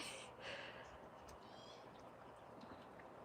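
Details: A magpie, a recently fledged young bird with its mother nearby, gives two harsh, rasping bursts in the first second, then fainter scratchy notes over a steady background hum, heard near an eagle nest on a cool 60°F day; the mother had warned the fledgling away from a person.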